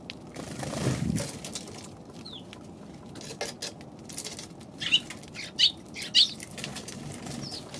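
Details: Eurasian tree sparrows, several birds, on December 29: a few short, sharp chirps at intervals, the loudest three about half a second apart near the end. A low flutter of wings comes early on, over a steady rustling background.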